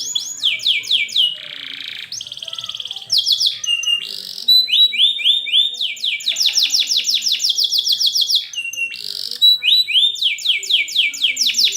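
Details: Canary singing long, full phrases to teach young canaries: high descending slurs, buzzy held tours, rising chirp runs and long series of rapid repeated swooping notes, changing pattern every few seconds.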